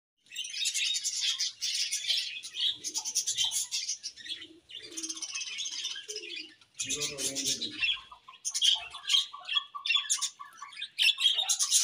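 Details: Happy budgerigars chirping in a busy flock: dense, scratchy warbling and rapid tweets pour out in bursts with brief gaps, plus a few low soft coos and fluttering near the middle.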